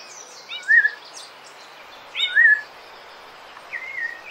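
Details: Rufous-bellied thrush (sabiá-laranjeira) song, used for training birds: three separate clear whistled phrases, each a short slurred note spaced about one and a half seconds apart, over a soft hiss of background noise.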